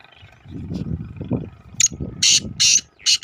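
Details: A black francolin calling beside a main road gives a quick run of four harsh, grating, rasping notes, coming after a low rumble of passing traffic.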